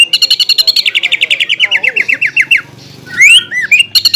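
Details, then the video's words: Cucak ijo, the greater green leafbird, delivers champion-grade tutor song with harsh shots: a steady run of sharp clipped notes sliding gently downward, a brief pause, then a rising whistled sweep and chirps. "MASTERAN CUCAK IJO KELAS JUARA ISIAN MEWAH DAN TEMBAKAN KASAR SANG FIGHTER"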